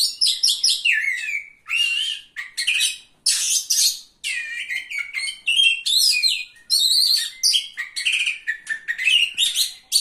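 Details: Oriental magpie-robin singing at a bird contest on 17 April 2023, a vigorous run of varied whistles, buzzy trills and rapid chattered notes in short bursts, clean background.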